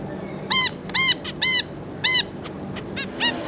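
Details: Calls from a zebra finch family of two adults and three juveniles, 26 May 2022: five loud, clear nasal beeps about half a second apart, then softer trailing notes, over quiet room noise.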